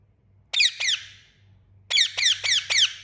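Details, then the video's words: Ringneck parakeet of the Indian form calling loudly: one harsh double chirp, a pause, then a rapid series of four grating descending notes. "Indian Ringneck Parakeet Loud Chirping Sound"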